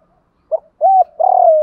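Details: Spotted dove cooing, a recording used to train captive doves: a short low note, an arched steady coo, then a long buzzy, pulsing coo that slides gently downward, in clean, quiet surroundings.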